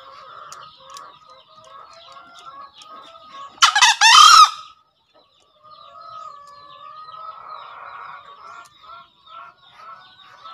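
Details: Green junglefowl crow: one short, harsh, broadband burst of under a second near the four-second mark, standing out above steady chirping and twittering of small birds that runs through the whole recording.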